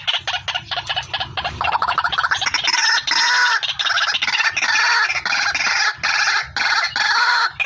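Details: Female white-breasted waterhen call used as a bird-catching lure: harsh, rapid, repeated croaking notes in dense chattering bursts, with a low hum beneath.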